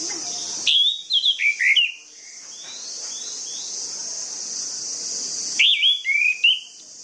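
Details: Orange-headed thrush song used as a trigger for lazy birds: two loud bursts of rich, descending whistled phrases separated by a pause filled with a steady high insect hiss and faint birds.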